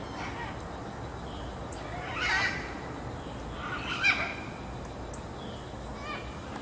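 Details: Great green macaws at Grand View Estates: two harsh, raspy squawks, the second louder and sharper, rising out of steady background hiss with quiet gaps between.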